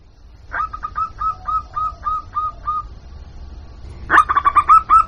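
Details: A local zebra dove's cooing, played as a lure for wild birds: an even series of about nine hooked whistled coos, a pause, then a louder quicker burst.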